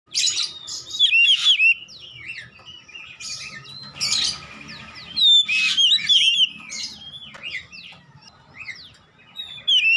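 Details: Oriental magpie-robin (kacer) song used as therapy to get a silent bird singing vigorously: loud bursts of sweeping, slurred whistles and buzzy notes with short trills, separated by quieter gaps of soft chatter.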